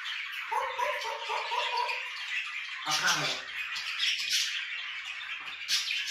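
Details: Two pet grey parrots indoors mix voice-like chattering, a harsh squawk and a short rising whistle over a steady hiss. They sing only in a room where budgerigars screech.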